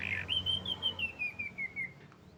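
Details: Champion canary giving one long, pure whistled note that rises sharply at the start and then slides slowly downward for about two seconds. A low hum runs in the background.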